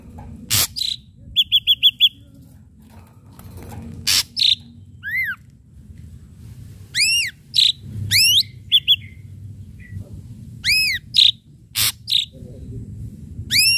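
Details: Varied lure song of an ashy drongo with sharp strikes: explosive cracks, bursts of rapid chips, buzzy notes and many ringing arched whistles tumbling over one another across about fourteen seconds.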